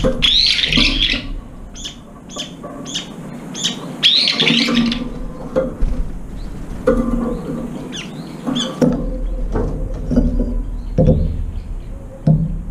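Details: Brown-eared bulbuls squabbling over the last food at a feeding bowl; loud, harsh squealing bursts and rapid repeated shrill notes early on, then sparser calls over a low continuous hum.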